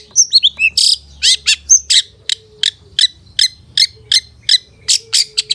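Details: Long-tailed shrike song from a master recording for training caged birds, full of mimicked fill-in phrases: rapid high, sharp chirps and short whistled notes, several bursts a second, with a faint low hum beneath.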